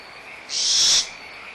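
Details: Barn owlet at Audubon Starr Ranch Sanctuary, squabbling over leftover food: one harsh, breathy screech of about half a second, with a steady frog chorus in the background.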